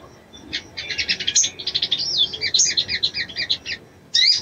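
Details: Calling a male to arouse him, a female brown-throated sunbird gives a busy stream of high chips and short slurred whistles, a pause, then a final sharp squeaky burst.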